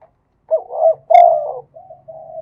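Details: Spotted dove song in the Thai contest styles called khat and nun: one low, mellow cooing phrase of three rolling coos, followed by two softer, drawn-out coos trailing off. No other sounds.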